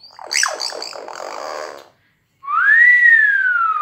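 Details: Talking pet common hill myna outdoors, giving a burst of harsh, voice-like mimicked chatter such as "ciao ciao". After a short pause comes one long, loud whistle that rises and then slowly falls.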